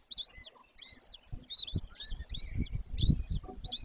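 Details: Golden eagle nest, Bucovina, Romania, Carpathians, 18 May 2024 at 14:19: squealing arched whistles in irregular runs, with rising low bumps and rustling noise toward the end.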